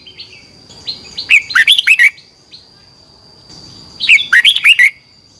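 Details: Red-whiskered bulbul in competition song, used for training: two rapid phrases of six or seven bright, slurred whistles about three seconds apart, over a steady faint high tone and soft chirps from other birds.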